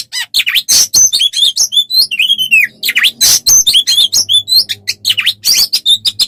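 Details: Oriental magpie-robin song as training material for songbirds: fast, rich medley of sharp chirps, buzzy notes and a few slurred whistles, nearly unbroken, with a faint low hum underneath.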